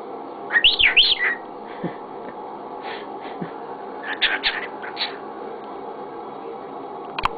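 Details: Male pet cockatiel talking with his owner, who repeats "pretty boy" and "crazy bird": a quick run of high, looping whistles, then short bursts of chattering, speech-like notes after a pause, over faint room hum.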